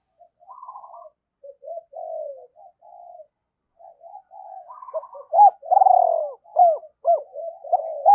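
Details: Spotted dove used as a decoy bird, calling to lure wild doves: soft low coos in short phrases, followed by louder, harsher rolling coos with quick downward-sliding notes, in an otherwise quiet setting.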